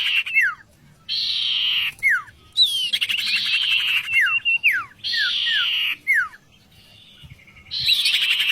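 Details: Vocal tutor oriental magpie-robin alternating loud grating buzzy bursts with quick falling whistled slurs, repeated several times, with short pauses between phrases.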